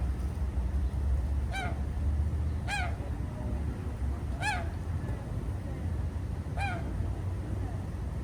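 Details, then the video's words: At Jardin aux Canards in Monaco, morning ducks swimming give four well-spaced, clear honking calls, each a short arched note about a second or two apart, over a continuous low hum of water. "Relaxing Duck Sounds"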